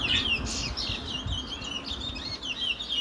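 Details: Brown chestnut-bellied seed finch (towa towa) from Guyana singing a fast, twittering warble of high whistled notes and short slurred chirps, delivered in quick bursts with little pause, over a low background hum.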